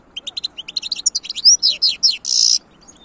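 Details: European goldfinch singing a continuous phrase of quick tinkling notes that speed up into slurred whistles and end with a harsh buzzy note.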